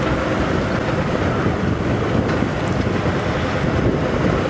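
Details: Strong wind buffets the microphone, producing a dense, even roar throughout with no animal sound.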